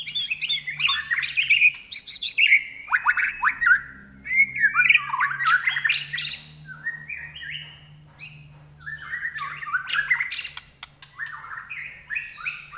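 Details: White-rumped shama in the trek style with a piercing 'nyelit' voice, recorded for training other songbirds: a rich run of varied whistled phrases, swooping and warbling, in quick bursts with short pauses, over a steady low hum and a thin high tone.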